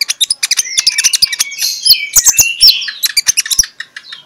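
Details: Morning magpie-robin song played as a lure for other magpie-robins: dense stream of rapid chattering notes, crisp clicks and fast whistled trills, with a sweeter warbled run in the middle, continuous throughout.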